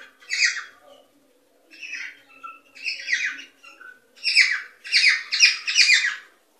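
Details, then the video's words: Cockatiel sounds played to stimulate breeding: bursts of harsh, chattering squawks and chirps with strong upper harmonics, coming in short phrases that grow denser and louder toward the end. "صوت لتحفيز طيور الكوكتيل على التزاوج والإنتاج"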